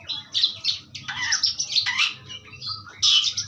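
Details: Harsh, raspy chattering and squawky notes from an Asian pied starling in pastol song, broad noisy bursts alternating with short whistles, fairly continuous.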